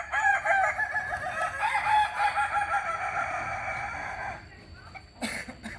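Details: Long, rippling crow from a Kokok Balenggek chicken native to Solok, West Sumatra, with dense chains of quick syllables that fade into a pause and are followed by a brief loud burst.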